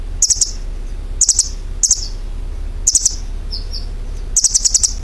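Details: Chirping bird with short high bursts of rapid pips repeated every second or so, a pair of softer lower whistles midway, steady low hum beneath.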